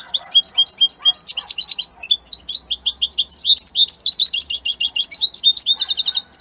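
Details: Italian-type European goldfinch, singing nonstop in varied, high, twittering phrases. Liquid chirps, slurred whistles and tinkling notes run into a fast, buzzy trill near the end.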